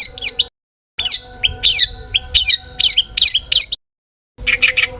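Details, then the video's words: Singing long-tailed shrike, used as a lure for other shrikes. Repeated high downslurred whistles mix with short chips, and a closing burst of buzzy rattles follows a silent break. "burung cendet gacor FULL ISIAN buat PANCINGAN CENDET AGAR BUNYI!! jadikan BURUNG PENTET GACOR EMOSI"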